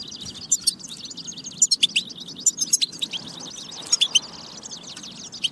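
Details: European goldfinch song used as a track to stir goldfinches into singing: rapid, tinkling high twitters and short liquid notes, with sharp louder chirps standing out around the first, second and fourth seconds over a soft low background hum.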